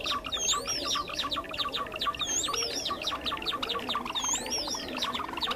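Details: Java sparrows recorded for trapping, birds of rice fields and farmland: steady rapid chips and tinkling clicks, with looping high whistles recurring roughly every two seconds.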